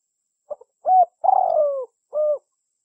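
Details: Spotted dove lure call used for trapping: short soft notes, then a low hollow coo with a long drawn, slightly falling note, ending in another coo, in an otherwise quiet recording.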